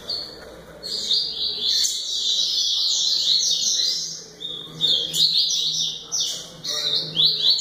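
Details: A double-collared seedeater gives high, rapid bursts of chirped and slurred notes, with brief pauses between phrases and a soft low murmur in the background.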